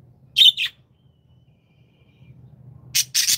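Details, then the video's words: Budgerigars kept as happy pets giving a quick double chirp, then after a pause a louder, harsher double squawk, with a faint low hum underneath. "Happy Budgies | happy budgie sound"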